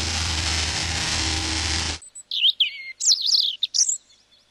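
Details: European greenfinch (Carduelis chloris) in a garden, close up: quick twittering and slurred ringing notes for about two seconds, after a burst of loud rushing noise at the start.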